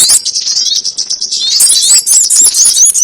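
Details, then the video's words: Sogon ontong bird sound for luring birds into traps: continuous high, buzzy twittering that turns into sharper, squeakier chips in the second half. "SUARA PIKAT BURUNG SOGON ONTONG"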